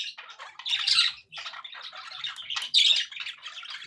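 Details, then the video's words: Happy budgerigar chatter indoors: uneven bursts of buzzy squawks and warbled notes, about one louder outburst every two seconds over softer continuous twittering. "happy budgie sounds"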